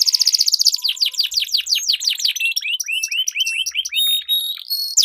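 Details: Canary duel song serving as a training lure for competition birds: a fast buzzy trill opens, then a run of quick descending whistles, followed by higher sustained piping tones and repeated rising slurs.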